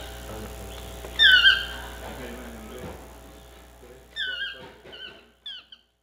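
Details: Chestnut-mandibled toucan giving a loud single yelp, then after a pause a quicker run of three or four falling yelps, with faint low sounds in between.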